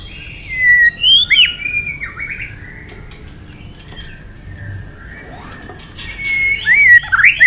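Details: White-rumped shama in fighting song. Bursts of rich, looping whistled phrases open the clip, then a quieter stretch follows, and loud twisting whistles return near the end.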